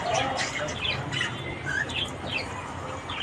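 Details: Budgerigars chirping in the morning, many short rising whistles and soft chatter layered over a constant murmur of other birds.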